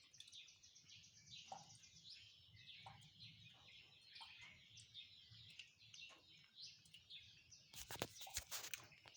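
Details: Many birds singing in the morning, continuous high chirps and trills, then a burst of loud sharp crackling clicks near the end.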